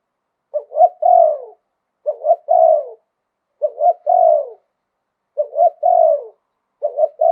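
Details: Spotted dove repeating its 'liu tan' style song in a wild 'khan yon' voice. About five phrases of stuttered soft hoots and a long downward-sliding croo arrive roughly every one and a half seconds.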